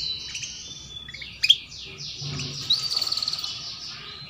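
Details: Female canary sounds played to prompt young canaries to sing early: a thin, sustained high whistle, a sharp chirp, then a fast run of repeated buzzy notes growing into a rapid trill.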